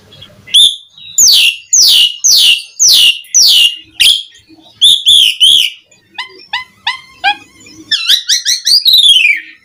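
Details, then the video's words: Asian pied starling song used to provoke other starlings into singing: loud repeated downslurred whistles, then wavering chattered notes and a rising series of sharp whistled phrases. "Suara Jalak Suren Langsung NYAUT buat Pancingan Mendongkrak Emosi Burung Jalak Agar Gacor Full Isian"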